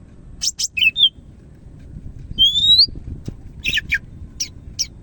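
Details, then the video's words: Greater green leafbird from Medan singing: sharp chips and a short whistle, then a long clear rising whistle, followed by more buzzy chips spaced apart, with slight background noise. "SUARA BURUNG CAK IJO MEDAN GACOR"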